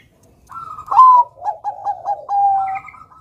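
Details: Bangkok-type zebra dove in full song, kept to coax young birds into singing. A clear cooing phrase opens with a bright rising note, runs into a string of quick bubbling staccato coos, then ends on a long sustained coo.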